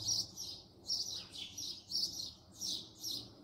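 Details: House sparrow at close range giving repeated harsh, bright chirps at an uneven pace, each note a short burst.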